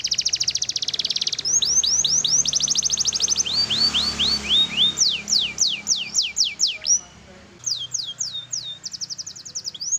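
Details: Loud black-red canary song with fast rattling trills, runs of steep downward-sweeping whistles and rising slurred notes, with a brief pause before more quick trilled phrases.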